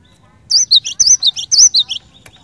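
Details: Cinereous tit in full song, used to prompt other cinereous tits to sing: about three quick phrases, each a high whistled upslurred note dropping to a lower buzzy note, delivered in a brisk burst.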